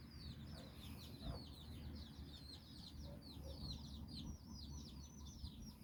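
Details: Chicks of a hen with a brood of nine, exploring in Bizkaia, Basque Country; soft, continuous chorus of high thin peeps over a steady low hum.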